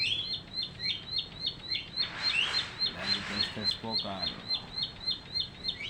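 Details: Newly caught bar-winged prinia, caged and singing after three weeks; sharp high chirps repeated about three times a second in a steady run, with a person talking briefly in the middle.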